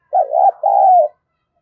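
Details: Spotted dove calling to stimulate other doves: a low two-part coo, a short wavering first note and then a longer, steady, slightly falling second note, against a quiet background.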